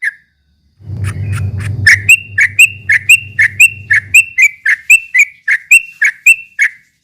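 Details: Straw-headed bulbul singing the rapid ropel style to provoke rivals: a single note, a pause, then a long regular run of crisp paired whistled notes, with a low droning hum early on.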